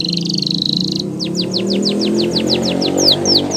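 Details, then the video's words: Canary training song heard over a strong low musical background: a high buzzing trill followed by a regular run of soft falling whistled notes. "Canary's Training Song"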